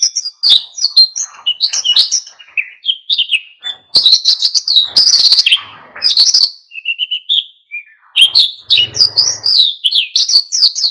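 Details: Oriental white-eye (pleci) in energetic song meant to get other birds singing; rapid high chirping and warbled phrases with short trills, a brief pause with a low hum, then renewed fast twittering.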